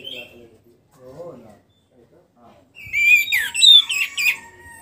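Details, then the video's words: Caged orange-headed thrush after its moult, beginning to sing freely again: faint low murmurs first, then a loud burst of varied high whistles, slurred trills and sharp rising-falling notes over a steady background hum. "memancing suara anis merah setelah ngurag"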